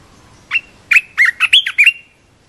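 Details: Red-whiskered bulbul's fluty phrase: one isolated note, then a quick cluster of six slurred, warbling notes that dip and rise. The bird sounds close and clear over near silence.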